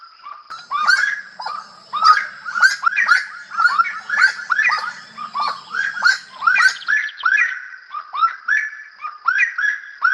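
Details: Slaty-breasted Wood Rail, a Brazilian rail: loud, rapid, overlapping bursts of harsh hooting notes that tumble on without pause, over a steady high insect-like whine.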